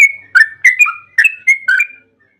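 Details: Short burst of yellow-vented bulbul song, used as a lure recording to make bulbuls answer: a clear whistled note followed by five quick bubbly, slurred phrases, ending in silence.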